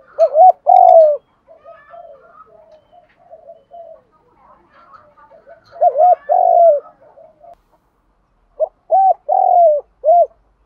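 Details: Cooing spotted doves, meant to rouse caged wild-caught birds to coo and fight. Three loud phrases of short clipped notes and a long drawn note are separated by stretches of faint, murmuring coos in the background.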